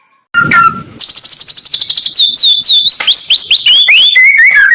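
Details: White-rumped shama song used as training material for competition birds: a brief low whistle, then loud high downslurred and upslurred whistled notes in a rapid varied series.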